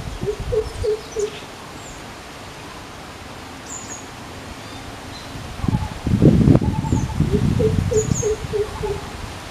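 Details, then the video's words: Greater coucal (crow pheasant) in forest, hunting calmly, gives deep, hollow, resonant "oop oop" hooting notes in quick runs of four or five, about four per second, with faint high chirps and a burst of rustling between. "The GREATER COUCAL bird hunt prey with sound"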